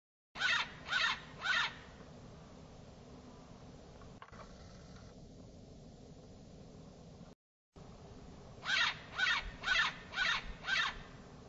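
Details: A California scrub jay calling in the early morning gives harsh, raspy calls, a run of three then a quicker run of five, about two per second, over a soft background hiss.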